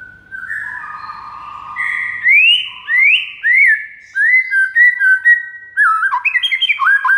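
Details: White-rumped shama master song for prompting other shamas to respond: soft low warble, then strong rising whistled slurs spaced about a second apart, ending in quick repeated bouncing whistles.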